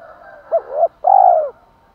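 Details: One full spotted dove phrase: a quick hoot, a rising slurred note, then a sustained loud hooting coo, over faint background cooing. Intended to provoke wild males to call.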